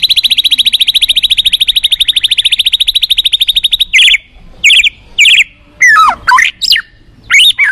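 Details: White-rumped shama from the forest: a long, rapid, buzzy trill of evenly repeated notes runs for nearly four seconds, then gives way to loud separate whistled phrases, some sweeping sharply down and up, with short pauses between them.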